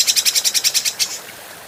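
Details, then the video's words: Adult grey-cheeked bulbul, recorded as a clear training track for other birds: a quick run of about eleven harsh, buzzy pulses, roughly nine per second, that cuts off abruptly after one second, followed by quiet background. "Masteran Burung Cucak Jenggot"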